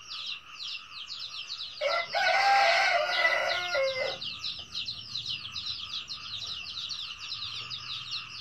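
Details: Red junglefowl crowing: a single loud, harsh, harmonically rich crow of about two seconds, with a broken, stuttering end. A fast, steady insect buzz runs underneath from start to finish.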